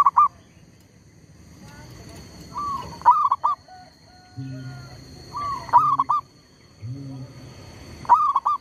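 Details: A lure zebra dove calls during bird trapping while a tree squirrel disturbs it. Four bubbling coo phrases, each opening with a rising note and ending in a short trill, come every two to three seconds over low hum and a thin high tone.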